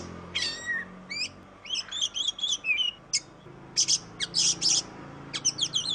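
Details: Singing Oriental magpie-robin, played as a lure for reluctant singers: a long descending whistle, then chirpy two-note phrases and dense scratchy bursts of very high notes repeated in quick clusters.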